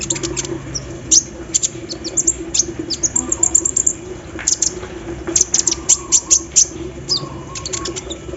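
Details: Kolibri ninja sunbird singing actively during morning dewing, its song described as filled with embroidery-machine mimicry: rapid high thin chirps and short sharp notes in irregular bursts, some brief descending slurs, over a steady low hum.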